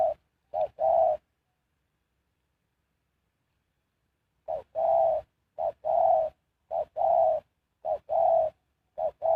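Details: Spotted dove decoy used for luring wild birds: a couple of low two-note coos, a pause of several seconds, then a run of evenly spaced short-long coo pairs.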